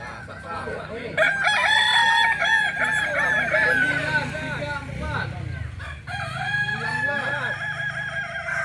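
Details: Authentic Kukuak Balenggek from Solok, West Sumatra, crowing twice with a brief dip between. Each phrase combines level sustained notes and wavering arched syllables, over a rumbling low background.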